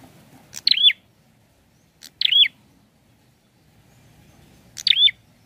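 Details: Prinia song: three short phrases about two seconds apart, each a sharp high note dropping into a hooked whistle, with quiet low rumble beneath.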